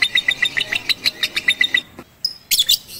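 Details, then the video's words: Batman lovebird on a roof during a first song-training session with a master recording, 18 April 2021 (6 Ramadan 1442): rapid bright chirps about seven per second for nearly two seconds, a short pause, then a few sharper high notes. "Melatih Kicau Lovebird Batman"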